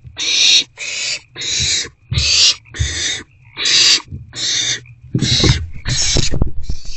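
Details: Owls in a nest box receiving rodent deliveries, evening of 29 March 2024. About ten breathy hiss bursts follow one another in a quick series. Scuffling and knocking sounds grow toward the end.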